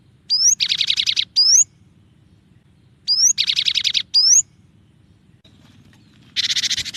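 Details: Cinereous tit, a clear training recording with song variations: a rising whistled slur followed by a harsh buzzing rattle and another upslurred whistle, repeated twice, then a final buzzy rattle.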